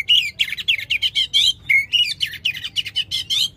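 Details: Fast, continuous chatter of sharp, bright notes with one brief pause mid-way: a loud oriental magpie-robin song for prompting another magpie-robin to sing again.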